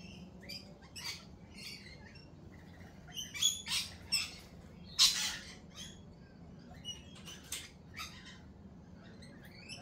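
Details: Lorikeets in a cafe give sharp, high, rasping squawks at irregular intervals, a few louder shrieks in the middle, over a steady low hum.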